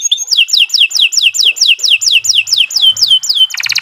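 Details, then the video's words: Canary singing a steady series of loud, sweeping downslurred whistles, about three per second, ending in a fast buzzy rattle. "Kicau Burung Kenari 153 II LUAR BIASA GACOR PANJANG"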